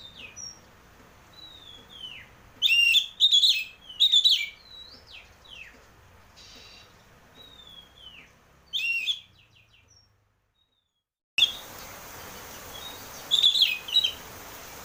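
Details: Oriental magpie-robin lure song for a caged bird: drawn-out downslurred whistles mixed with loud raspy chattering bursts, a brief silence, then more scratchy notes over steady hiss.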